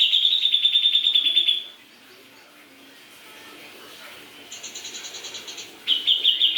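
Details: Fast, loud pulsing trill from a grey-cheeked bulbul that breaks off, then faint background chatter, then a quieter pulsed run and a final strong trill burst.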